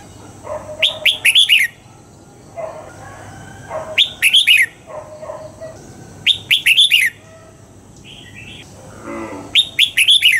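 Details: Red-whiskered bulbul singing at dawn in the double-note wild style used to train birds: four short phrases of rapid whistled up-and-down notes, each about two seconds apart. Softer, lower chirps from other birds fall between them.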